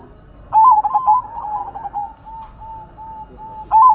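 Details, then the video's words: Zebra dove with silver plumage, a local songbird, opening with a sharp rapid flurry of notes that slows into a trail of spaced, soft, level coos, then a fresh burst begins at the end; quiet background. "Perkutut Silver Gacor Suara Asyik Unik dan Antik"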